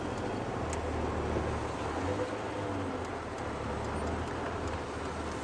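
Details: A steady low engine rumble from a vehicle on a sunset safari drive, with a constant broadband background hiss and no animal calls.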